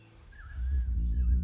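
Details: Southern cassowary; boom; courtship during a mating encounter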